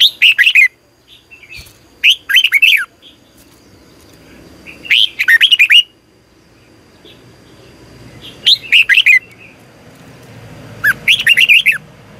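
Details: Red-whiskered bulbul singing repeatedly for morning training in the double twisting long voice style; five short bursts of warbled, rising and falling whistles spread over twelve seconds, faint hum behind.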